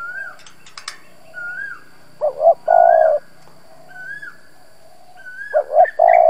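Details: Spotted dove decoy calling to provoke wild doves: low hollow coo phrases of two quick notes and a long held coo, mixed with another bird's repeated higher slurred whistles and a few sharp clicks.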